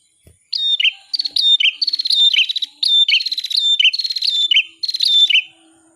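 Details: Bar-winged prinia singing for songbird masteran: a continuous run of fast buzzy trills, each closing with a quick falling chip, about five seconds long with no other sounds.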